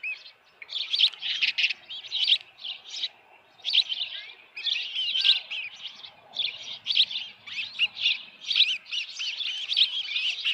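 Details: Osprey at the Dunrovin Ranch nest with a headless fish, June 2018 evening: rapid clusters of high, squeaky chirps separated by short gaps, sustained throughout.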